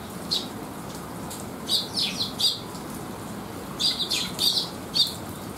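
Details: Young sparrows resting and sheltering from the rain after feeding, 8 July 2021: two bursts of high, slightly buzzy chirps, several notes each, separated by a short pause, over soft rain hiss.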